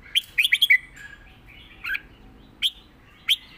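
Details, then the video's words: Red-whiskered bulbul, a caged bird, gives its southern Thai master song for teaching birds. A fast bubbling run of four bright whistled notes opens, followed by three spaced single chirps. "สดจัด!!ร้อง+ริก เพลงใต้แม่บทชัดๆ วนเพลงสวย(ไว้สอนนก)"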